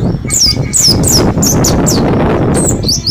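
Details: Caged mountain white-eye from Mount Slamet after ten days of forest training, giving loud high notes that glide downward, spaced about a third of a second apart, over heavy rumbling background noise.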